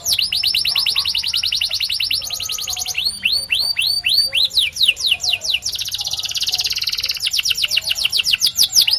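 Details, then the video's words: Canary, a white bird, singing a continuous medley: long fast trill, a set of looping rising whistles, a dense buzzing roll, then quick repeated upward-sweeping notes, all high and bright. "The Best White Canary's Singing"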